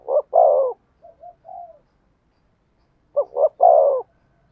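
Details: Spotted dove giving a Thổ Sấm style cooing song: a short double note and a long, throaty coo, a few soft muffled notes, a pause, then the same phrase repeated.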